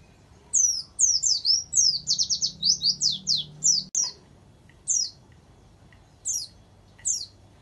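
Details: Warbling white-eye song with canary-like fill-ins, used to tutor or provoke other white-eyes: a rapid run of high, thin, sweet slurred notes for about three seconds, then single high chips spaced a second or more apart.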